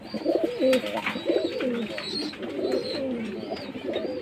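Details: Jacobin pigeon giving deep, wavering coos in a steady series of bubbling phrases, one louder burst near the start, while faint high chirping from other birds carries on behind.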